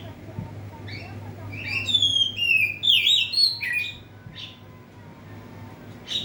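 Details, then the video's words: A caged oriental magpie-robin, kept under a cage cover, sings to provoke an opponent: a brief cluster of bright whistles and quick slurred notes, then scattered short chirps, over a constant low background hum. "Burung kacer gacor di dalam krodong bikin mancing emosi lawan"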